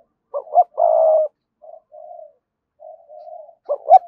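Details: Spotted dove singing thúc and coo song to call wild rivals to the perch for a fight: a quick double coo and long steady coo, soft low murmuring notes, then another sharp double coo.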